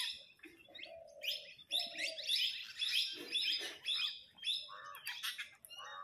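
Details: Flock of parrots chattering and fighting over food: low, nasal drawn-out notes open, followed by a dense run of scratchy, high chirps repeated almost twice a second.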